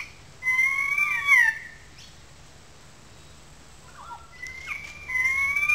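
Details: Currawongs in good form, calling loudly from a small gully above the wetlands in Sydney Park, St Peters, Sydney; two ringing, slightly wavering whistled calls with harmonics, separated by a quiet gap and a few softer notes.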